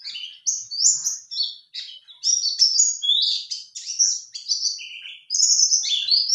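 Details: A white-eye sings a rapid, high, jumbled warble of thin whistles and twitters, almost without pause for several seconds; it is used as a lure that male white-eyes are expected to answer.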